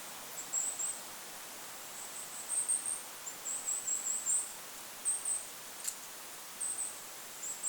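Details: Goldcrest in lakeside forest uttering frequent brief runs of very high, thin, hissing notes, repeated irregularly, against a background of wind noise and one faint click.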